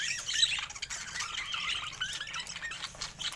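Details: Pet budgies warble continuously in a soft, slurred chatter of short rising and falling notes mixed with raspy squeaks.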